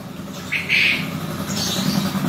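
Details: Champion male quail kept for contests, giving a ceketer call: one short, bright, harsh burst over a steady low hum.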